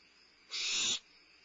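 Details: Single loud, noisy hissing screech of about half a second from a limping barn owl owlet having a midnight meal at Starr Ranch on 2011-05-22, with a faint steady high whine around it.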